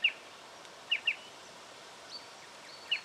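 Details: Striated pardalote recorded in Victoria, Australia, in October 2011: short, sharp, high notes given mostly in quick pairs, the pairs about two seconds apart, over a quiet background with a faint distant chirp.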